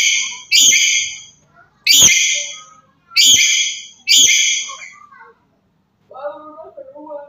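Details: Black-capped lory from Papua calling loudly to provoke other birds: four raspy, harmonic squawks at uneven spacing, followed by a softer run of low warbling chatter.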